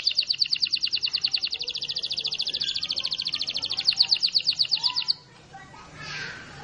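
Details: Canary delivering a rolling song: a rapid, even, high-pitched trill of dense repeated notes running for about five seconds, ending abruptly, followed by a soft, low, breathy sound.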